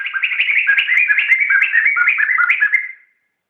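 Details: Laughingthrush song for teaching other songbirds: a dense, bubbling cascade of bright whistles stepping up and down in quick succession, about three a second, ending abruptly into silence.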